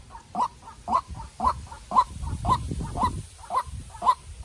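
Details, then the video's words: A White-breasted waterhen, a young decoy, calls in a fierce exchange with a wild bird: rhythmic harsh notes about twice a second, softer intervening calls, and rumbling low noise in the middle. "Quốc Mồi Tơ Ra Trận Gặp Bổi Rừng Đấu Cực Căng"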